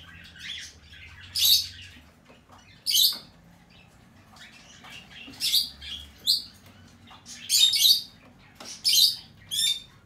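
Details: Hand-tame green-cheeked conure chick of the red-cheek pineapple colour form, recorded 25 April 2020; harsh, raspy, high-pitched bursts repeated every second or two, some rapidly stuttered, with soft rustling between.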